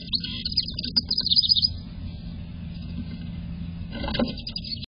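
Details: House wren catching a snack on 30 April 2024, giving quick bursts of high, jumbled chirping notes, one near the start and another near the end, over a steady low rumble.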